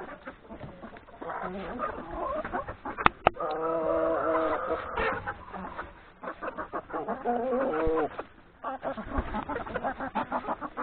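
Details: Chickens, hens and three roosters, breakfasting in a yard before going to graze in the forest; a dense chorus of rhythmic clucks and drawn-out, bubbling calls, with two sharp knocks near the three-second mark.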